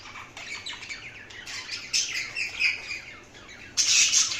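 An Indian ringneck parakeet chirps in quick, high, scratchy notes, ending in a harsher squawk burst near the end.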